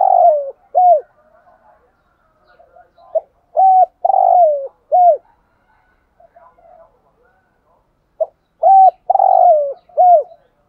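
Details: Decoy spotted dove cooing in the intense 'thúc gù' style, giving about three repeated phrases: a short clipped note, a level low coo, a long burry coo sliding downward, then an arched final note. Faint chirps sound between phrases.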